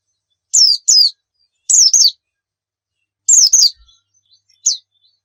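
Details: White-eye (pleci) chirps from a lure recording meant to prompt singing: sparse paired and single high notes sliding downward, spaced about a second apart, with quiet between.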